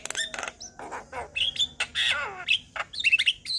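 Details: Varied song of a male Javan myna said to prompt other mynas to sing: scratchy squawks, gurgling slurred phrases and clear whistled notes tumbling together without a fixed rhythm.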